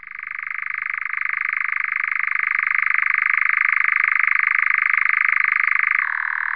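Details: European nightjar churring at dusk on heathland at Landes de Locarn, Brittany, France: a long, unbroken, mechanical trill like an old engine's backfiring, dropping slightly in pitch near the end; no other sounds stand out.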